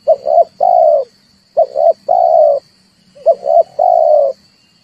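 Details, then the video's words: Red turtle dove calling as a trapping lure: three repeated phrases of paired quick low notes ending in a longer even coo, separated by short silences, a thin electronic-like tone in the background. "tiếng chim cu ngoi dùng cho kich chim hót dùng để bây"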